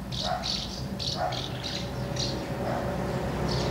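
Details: Common house martins crowd around two nests, feeding young, recorded 24 August 2012. Rapid buzzy chirps repeat several times a second, mixed with short lower notes, over constant low background hum.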